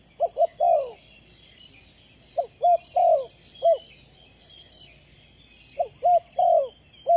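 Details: Spotted dove kept as a ground decoy for trapping wild doves, recorded 20 April 2020. It gives low, soft cooing phrases of two quick notes and a longer drawn coo, repeated three times at pauses of about two seconds, over faint high insect-like buzzing.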